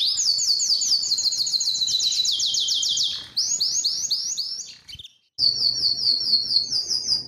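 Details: Canary song made of fast rolling trills that slide downward between tours. A short silence breaks the song near the end, then a bright, very rapid high trill follows.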